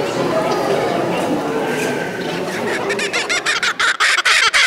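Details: A laughing kookaburra at a poultry show exhibition in Beauvais, Oise, France, in May 2019 breaks into harsh, rapid rhythmic chuckles that quicken and grow louder, over murmuring crowd voices.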